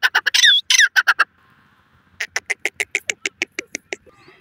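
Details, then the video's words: Grey francolin, known locally as dakhni teetar, calling in high spirits: a burst of loud, harsh, rapid notes, a brief pause, then a steady series of about a dozen evenly spaced strident notes. "dakhni teetar masti wali awaaz, francolin ki massti"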